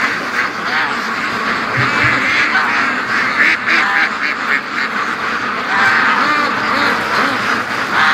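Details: Free-range duck flock on the daily run to or from the lake, rapid overlapping quacks and louder harsh calls pulsing irregularly through a continuous chorus, with brief low thumps.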